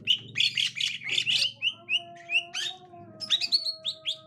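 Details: Green leafbird of the gotri type reacting to a young forest-caught green leafbird: dense chattering bursts, then clear down-slurred whistles repeated about twice a second, over a faint steady hum.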